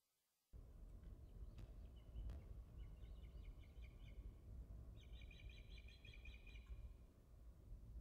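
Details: Ospreys at Dyfi, recorded 14 July 2013: two bursts of rapid, high, repeated chirping notes, a short series near the middle and a longer, stronger run near the end, over a steady low rumble of wind or background noise.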